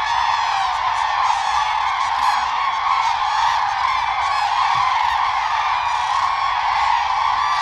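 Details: Common cranes in their mating-season dance, calling as they bow their heads and necks; a dense unbroken wall of honking and trumpeting from many birds, with scattered sharper notes throughout.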